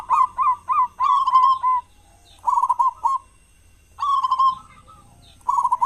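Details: Local zebra dove with a big voice, kept as a lure to start other doves singing at morning and dusk; short stuttering coos, then rolling trilled phrases separated by brief silences.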